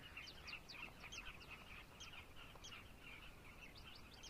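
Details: Many carmine bee-eaters calling together in Zambia: rapid, throaty trilled notes overlapping in a steady chatter, with faint background hiss.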